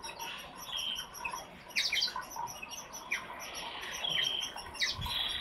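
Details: Brambling giving short chirping calls, several overlapping notes, some quick downslurred chips and a few drawn-out nasal tones, over constant low rustling noise.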